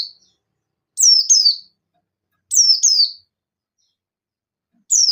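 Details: Buxton's white-eye calling rivals: paired high, descending whistled chirps repeated about every one and a half seconds against silence.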